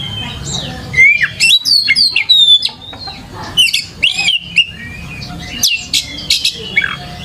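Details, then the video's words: Oriental magpie-robin singing energetically in a lure recording meant to teach young birds; varied whistled notes, rapid rising and falling slurs and scratchy bursts packed closely together, with a faint low hum behind. "PANCINGAN KACER GACOR COCOK UNTUK PANCINGAN KACER MUDA UNTUK BELAJAR BUNYI DAN CEPAT IKUT GACOR"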